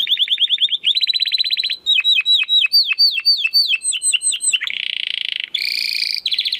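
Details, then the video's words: Crystal-voice domestic canary song meant as a master for competition birds: quick trills, then a run of sharply falling notes about four per second, a steady buzzy roll and a brief high rattle. "Kenari Gacor Suara Kristal Buat Masteran Burung Gantangan"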